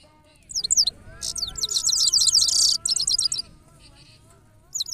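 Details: European goldfinch singing: rapid, high twittering notes in quick bursts, a dense buzzy stretch lasting over a second, then a run of short repeated chips, a pause, and a fresh burst at the end; faint steady low tones underneath.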